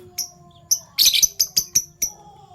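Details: Captive Fischer's lovebirds, violet and gold opaline colour forms, chirping in the morning: short sharp high chirps repeated roughly every quarter second, with a brief harsh burst in the middle, over faint low hum.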